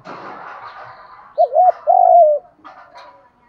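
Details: Spotted dove coo intended to rouse wild-caught doves to fight: a burst of broad noise first, then two quick notes and a drawn-out falling coo.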